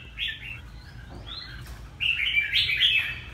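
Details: Red-whiskered bulbul from Ha Tinh, Vietnam, singing a brief chirpy phrase, then a longer, louder run of bright warbling notes.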